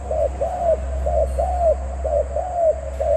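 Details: Zebra dove giving a series of mellow rolling coos, short and longer drawn notes alternating, with a strong low hum beneath.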